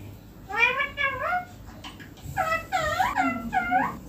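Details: On a neem tree, a pet green ringneck parrot gives a string of wavering, bending squawks, the later ones quick and overlapping, with faint low murmurs in the background.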